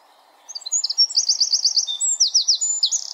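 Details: After a brief quiet moment, a wren in the forest bursts into shrill, fast song: clipped high notes, a rapid series of repeated strokes, then lower sweeping slurs and a buzzy ending.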